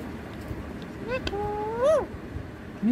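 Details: A talking pet rose-ringed parakeet, repeating words like "me too", speaks in two or three drawn-out, voice-like syllables that rise and then break off, over a low background hum.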